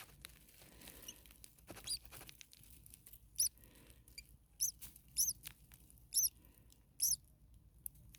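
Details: Common starling nestlings in a very hot attic nest, about 40 degrees Celsius, parent close by: after a quiet start, about six sharp, high, squeaky calls ring out roughly once a second from the middle onward.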